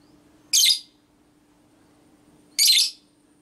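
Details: Female lovebird in the style known locally as ngekek, meant to provoke other lovebirds: two harsh, buzzy, high-pitched shrieks about two seconds apart, each a quarter second long, over a faint steady hum.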